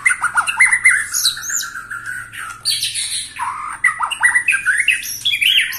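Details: White-rumped shama, a 21-year-old bird still singing with a vigorous style: a dense run of rich whistled and warbled phrases with quick upslurs and harsh squawky notes, varied and almost unbroken for nearly six seconds.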